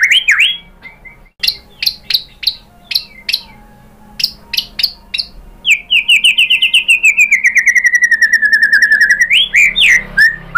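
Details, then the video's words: Lure song of a white-rumped shama for prompting other birds to respond: a string of sharp, separate chirps, then a long, rapid trill that slowly falls in pitch and ends in a few rising whistles. "MURAI BATU jadi Gampang NYAUT GACOR BONGKAR MATERI ¦ PANCINGAN MURAI ¦ SHAMA BIRD"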